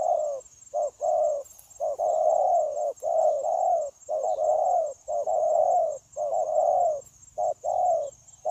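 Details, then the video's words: Wild-caught spotted dove, recorded at a trapping site on 9 January 2024, cooing continuously. Phrases pair a short low note with a longer, rolling, slightly falling coo, repeated almost without pause. A steady high insect-like hum runs throughout. "Bổi Quá Chịu Gù | Nết gù liền lạc liên tục"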